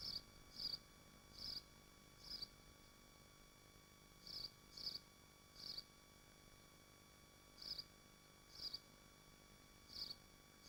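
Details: Nesting swifts at the nest in Machynlleth, Dyfi Biosphere, on a livestream: short shrill high bursts, about eleven in ten seconds at irregular spacing, over a faint steady hum.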